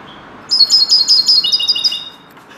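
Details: Common linnet trained to sing in the style of a goldfinch, delivering a fast series of clear, high, tinkling whistled notes for about a second and a half, stepping slightly lower toward the end, in an otherwise quiet setting.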